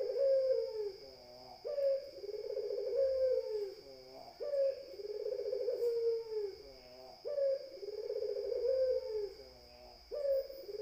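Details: Barbary dove repeating its low rolling coo phrase about every three seconds, each a sharp start, a vibrating held note and a descending tail, accompanied by a constant high electronic tone.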